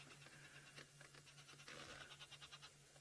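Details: A red-billed hornbill gives a quick run of dry, clucking chicka notes, about three a second, from a tree next to a safari vehicle, over an idling engine's low hum; the guide guesses it is one of a mating pair.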